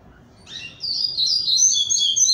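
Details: Caged double-collared seedeater of the Barra Mansa song style, coming out of moult and now much thinner: a high, bright warbled phrase that builds from soft notes into fast, sweeping whistles.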